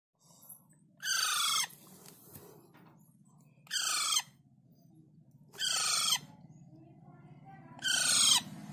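A young Alexandrine parakeet gives four harsh, raspy screeches, each about half a second long, spaced two to three seconds apart over a low steady hum.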